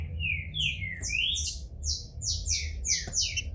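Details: Green-winged Saltator coming out of moult, bald, kept in captivity in Brazil. It gives a quick string of harsh, buzzy, ringing notes with overtones over a background rumble.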